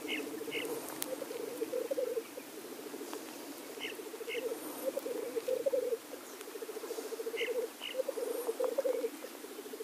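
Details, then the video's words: Blackcock males at their lek giving steady low bubbling, rolling coos in long overlapping phrases, with paired higher calls repeated about every three and a half seconds. "Birkhahnbalz - Tétras lyre - Blackcock lek"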